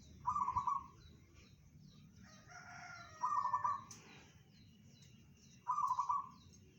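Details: Bedah karang song of a local zebra dove, whose voice is said to reach 500 meters. Three quick, bubbling trilled coos come at uneven gaps, with a fainter ringing call from another bird between the first two.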